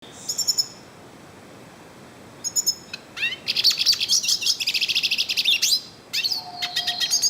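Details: Yellow-faced siskin singing in the wild: short high chirps, a pause, then a fast, dense run of high twittering and buzzy trilled notes, with a faint low whistle near the end.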